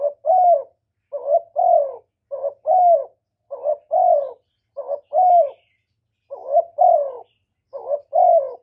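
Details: Cooing spotted dove, whose calls are used to stimulate males. Paired coos run back to back, about eight of them: a short upslurred note, then a longer descending one. The delivery is fast and insistent, with nothing else audible.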